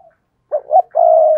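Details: Single phrase from a spotted dove used to lure wild doves: two brief throaty notes followed by a sustained, gently falling coo.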